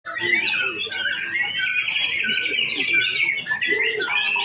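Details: Male white-rumped shama singing during a practice simulation of a songbird contest: sustained, dense run of bright whistled and chattering phrases, with overlapping calls from other birds throughout.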